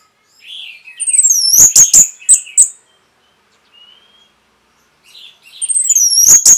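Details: Orange-headed thrush masteran song recorded to train caged birds. Soft warbling rises into loud, sharp, downslurred whistles and quick, clipped notes. After a short silence, a thin note sounds, then another loud, descending whistled burst.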